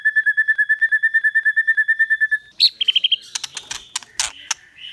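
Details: White-rumped shama song in 'kéo thuốc lào' and 'hót giọng dây' styles: an even, fast pulsed trill of many notes, then a high note, a quick chirp run and sharp clicks.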